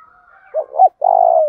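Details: Fight-provoking call of a lure spotted dove in 'thổ pha đồng' voice. It opens with two short, hooked coos and ends in a long, steady, rattling coo. A faint higher tone sounds beforehand.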